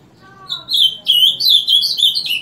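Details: Morning song of a Summer tanager, which sings daily from 7 am: quick bright slurred whistles in short linked phrases, briefly preceded by a lower, faint, drawn-out tonal sound.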